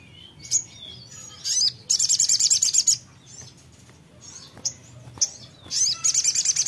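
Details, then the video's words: High songbird song answering a short playback: scattered thin whistles, then a fast rattling run of sharp chirps, more isolated notes, and a final rapid burst, over a low steady hum. "putar sebentar langsung nyaut sogon nya"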